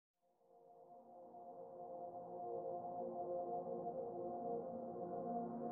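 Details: A gong or singing-bowl tone swells slowly from silence into a sustained humming drone, with no animal voice.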